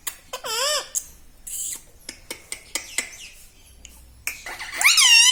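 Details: Chattering pet parrot in a small room, an opening wavy harmonic note, a string of short sharp clicks and squeaks, and a loud bending, downslurred phrase at the end.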